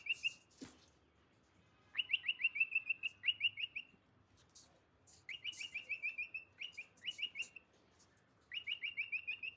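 A cockatiel sings bursts of quick, bright chirps strung into short trills.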